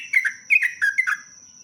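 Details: Short burst of sooty-headed bulbul song from a lure recording: three quick pairs of bright slurred whistles dropping in pitch, over a constant faint high-pitched tone.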